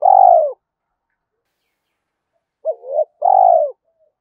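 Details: A long, throbbing, falling croon from a spotted dove calling against a rival in the morning. After a silence comes a short double coo and another long descending note.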